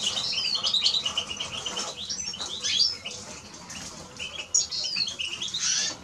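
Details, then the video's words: High, rapid chattering song of a Eurasian siskin with short sliding notes, pausing briefly near two and four seconds before resuming. "Eurasian siskin Song -Spinus Spinus -Scatiu"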